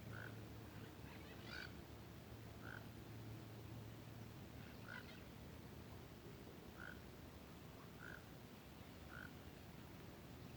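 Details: White-rumped monjita perched on a dry branch in open grassland; short soft notes near mid pitch repeated at irregular intervals of one to two seconds over steady low background hum.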